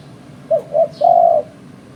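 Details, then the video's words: Spotted dove used by bird trappers as a lure, giving a three-part coo: two quick hooting notes, then a drawn-out steady coo lasting about half a second. A faint distant bird chirp is also heard. "Suara Burung Terkuku"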